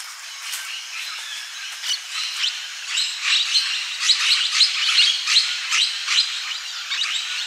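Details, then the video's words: Blue-headed Parrots (Pionus menstruus) near Pantiacolla Lodge, Peru, 30 September 2019: harsh, high screeching calls, several overlapping, building in intensity and repeating roughly once a second. "Blue-headed Parrots (Pionus menstruus)"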